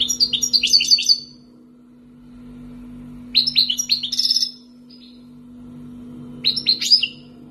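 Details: European goldfinch, wild-caught and kept two years, Algeria: three twittering phrases of rapid, slurred high notes and a short trill, roughly every three seconds, over a continuous low hum.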